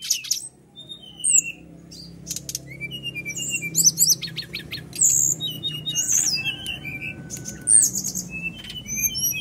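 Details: Brown-chested jungle flycatcher pouring out song with coarse fill phrases, meant to prompt caged birds to sing. Quick chips and short whistles build into busy trills and buzzy bursts over a steady low background murmur.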